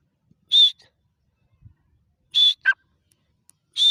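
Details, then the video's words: Grey francolin giving strident, high, whistled notes at roughly two-second intervals, one note followed by a brief lower second note, with quiet pauses between. "Gora teeter ki awaaz"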